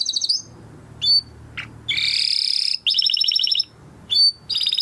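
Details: Timbrado canary training song broken into bursts: short high chirps and whistles separated by pauses, plus two dense buzzy rolls about a second long each, over a faint low hum.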